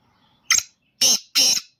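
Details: Black francolin (kala teetar), a pure Gangas Nasal bird of the 'chakri wala' type: three loud, harsh, rasping bursts, a short one followed by two longer ones, each about half a second apart, against silence.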